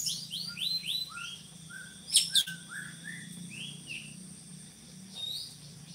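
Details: Drongo, a bird used to tutor other songbirds, giving a series of soft, clear whistles that slide downward, several in a row, broken by two sharp high clicks and then more quiet whistled slurs.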